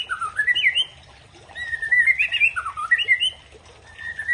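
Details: A white-rumped shama of the Aceh type sings to provoke a rival: a series of varied, rapid whistled phrases rising and falling, delivered in bursts with short pauses between.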